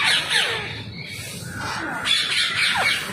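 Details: Wild green ring-necked parakeets (Rose-ringed parakeets) being fed give harsh, grating squawks and screeches that overlap in quick succession, several birds calling at once over faint outdoor background noise.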